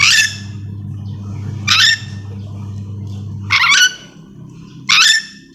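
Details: Four raspy, explosive screeches spaced over roughly five seconds from a yellow-and-green lorikeet (nuri dora) of Sulawesi, calling above a constant low hum.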